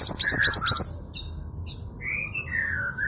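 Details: East Javan local female long-tailed sibia, a lure to make males sing: brief rapid chatter, a couple of sharp high notes, then long smooth whistles that rise and fall gently.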